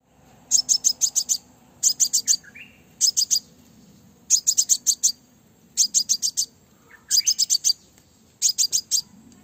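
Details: A female crimson sunbird (Aethopyga siparaja), a call used to provoke males, gives rapid bursts of four to six very high, sharp chips, repeated every second or so, with a few soft thin notes between.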